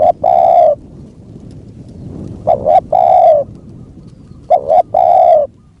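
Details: Spotted dove lured with a decoy bird: three coo phrases roughly two seconds apart, each a stuttered pair of notes and then a sustained coo, over steady wind-like noise.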